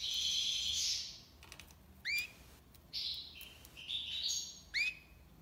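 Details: European goldfinch singing tiwawati: a long buzzy trill at first, then quick upswept twangs and short buzzy phrases.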